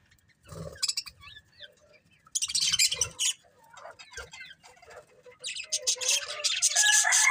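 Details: Budgies chirping: bursts of rapid, scratchy, high chatter with quick whistled notes, growing busier and louder toward the end.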